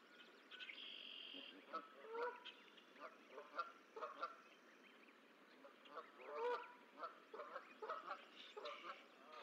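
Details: Geese at the Decorah eagle nest on 14 April 2024, as the last of six goose eggs hatches. Short, harsh honks repeat irregularly throughout, with one steady high whistle early on and a soft background hiss.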